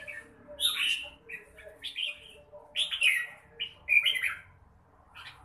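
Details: Red-whiskered bulbul singing short, bright warbled phrases that rise and fall, each under a second, separated by brief pauses, with a faint low hum underneath.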